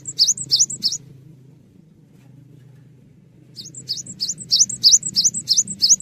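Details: Gelatik batu, the cinereous tit, in lively song used to tutor caged songbirds: repeated ringing two-part notes, a high sharp chip followed by a thin whistle, in bursts separated by a quiet gap with low hum.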